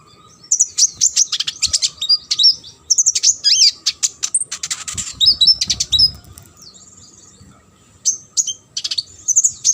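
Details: Sunbird song meant for tutoring competition songbirds: energetic, high-pitched twittering with sharp chips and quick trilled phrases in near-continuous bursts, then a brief lull before more scattered notes.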